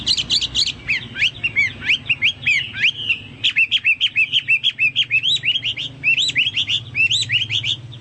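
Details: Chinese hwamei song, a long continuous run of rapid whistled and slurred notes, many quick up-and-down phrases repeated in close succession, bright and varied throughout.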